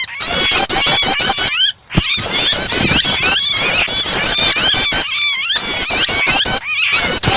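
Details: Prinia starter mixed with the cries of a trapped, distressed bird, used to encourage other birds to sing: nearly continuous harsh, high chatter with looping whistled notes and sharp ticks, one short drop in volume early on.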